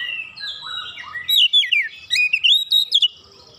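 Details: Oriental magpie-robin singing energetically after being provoked by another magpie-robin, opening its beak and unloading its repertoire: high, rapidly sweeping whistled phrases, first slurred and descending, then a burst of short bright notes, over a faint low hum.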